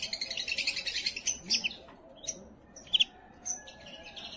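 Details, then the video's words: Canary song played to stimulate and prepare females for breeding: rapid trilled phrases and buzzy rolls, high-pitched, with sharp chips and short whistled notes, loudest bursts near the middle and end. "اقوى تغريد كناري للتسميع وتجهيز وتهييج الاناث"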